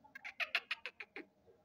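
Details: Black francolin giving a rapid run of about eight grating, rhythmic notes within just over a second, each note short and harsh, against a low background hum.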